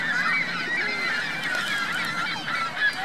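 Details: Geese with goslings on Virginia Lake in Reno giving continuous nasal honking, many voices layered into a short, dense chorus ending with one louder call.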